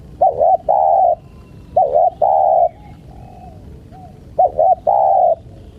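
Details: Spotted dove calling to tease wild birds. The phrase is repeated three times: a pair of short dipping coos, then a drawn-out level coo, with pauses of about a second between phrases.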